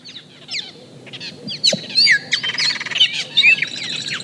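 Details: Austral Blackbirds, social birds of Chile that move in groups, in a complex song. Varied overlapping notes: sliding whistles, sharp chips and buzzy rattles, growing louder and denser in the second half, with several birds seemingly calling together.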